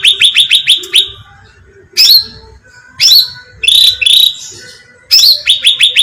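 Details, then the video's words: Cucak ranting bulbul lure recording: a quick burst of sharp falling chirps, then several separate harsh, buzzy notes spaced about a second apart, ending in renewed rapid chirping. "suara pancingan cucak ranting"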